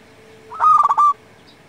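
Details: One cooing phrase from a local zebra dove kept for luring and as a tutor for silent doves: a soft lead-in, then a fast stuttering run of mellow notes ending in a smooth held coo, over steady low hiss.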